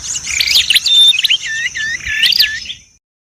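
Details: Prinia calls used as a lure for prinias and other small birds: a clear, busy series of sharp chirps, short whistled slurs and rising and falling notes at high pitch, lasting almost three seconds and then stopping abruptly.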